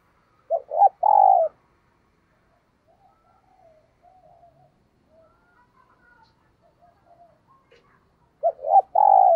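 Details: Caged decoy spotted dove cooing in the thúc gù style, used to provoke wild doves: a short three-note coo phrase at the start and another at the end, low and hollow, with long near-silence between.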